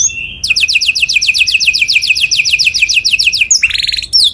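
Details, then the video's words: Canary singing loudly as a model for other birds to learn from: a long, very fast trill of repeated downslurred notes lasting about three seconds, ending in a brief buzzy roll and a high whistle. "O SOM DO CANÁRIO SOM ALTO DE OUTRO PÁSSARO PARA IMITAR"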